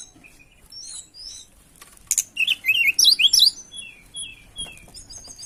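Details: Tledekan in breeding condition, singing to find a rival: thin high notes open, then a loud jumble of rapid squeaky chirps and zigzag trills, easing into soft descending whistled phrases.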